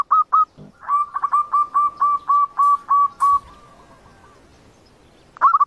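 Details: Zebra dove song for luring birds to a trap: a few cooing notes, then a steady run of about eight hooked coos, a quiet gap, and another short burst at the end.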